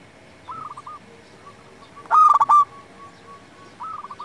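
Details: Zebra dove of local type singing to lure and tutor other doves: a single loud, clipped coo phrase in the middle, flanked by soft rippling coo series from more distant doves.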